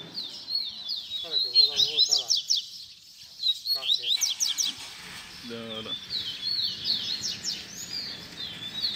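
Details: Baderna-style double-collared seedeater song used as a teaching recording for young birds. Dense runs of high, sharp, slurred notes come in repeated bursts. Lower harmonic buzzy calls break in twice.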